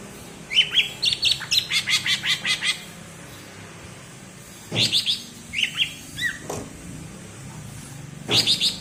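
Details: Bebeci song of a cucak ijo from Alas Purwo, Banyuwangi, a type seen as a mark of contest potential: a fast run of about ten sharp, repeated chirps, then scattered high whistled phrases and short bursts after a pause.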